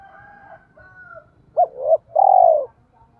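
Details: ['Spotted dove decoy calling to attract wild doves. Faint distant cooing comes first, then two arched coo notes and a long, loud, rolling coo, over a low rumble.']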